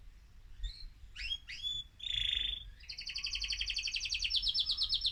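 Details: Male mosaic canary in an excited state, singing to stimulate other birds: sharp rising whistled notes, a dense buzzy burst, then a long fast pulsing high trill.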